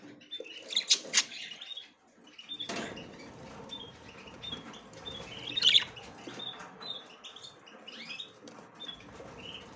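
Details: Female budgerigar inspecting the nest for the first time, producing quick squeaky chirps and short rising whistled notes in an irregular stream, with faint scratching and shuffling underneath.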